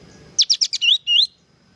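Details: Sooty-headed bulbul in full song for training: a fast run of four harsh, descending buzzy notes followed by two longer, bright whistled slurs rising in pitch, in quiet surroundings.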